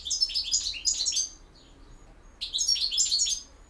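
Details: Campero song of a European goldfinch: two quick bursts of bright, chattering twitters, a short near-silent gap, then another tinkling burst of high, jumbled notes.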